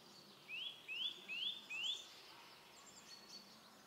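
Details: Eurasian nuthatch singing in woodland near Lage Vuursche, Netherlands: four clear, rising whistles in quick, even succession, about two and a half per second, over faint woodland background.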